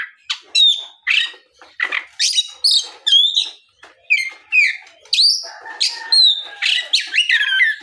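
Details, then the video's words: Lure song of an Oriental magpie-robin in the afternoon to draw other magpie-robins into answering; dense run of sharp whistles, buzzy notes and clipped chips delivered almost without pause. "SUARA PIKAT BURUNG KACER GACOR NGEPLONG SORE MEMANCING KACER LAIN SUPAYA LEKAS BUNYI NYAUT & GACOR !"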